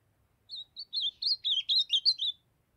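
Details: A young Ultramarine grosbeak (Cyanoloxia brissonii) of the Brazilian Northeast sings a quick, warbled phrase of about eight sweet, slurred whistled notes that rise and fall over roughly two seconds.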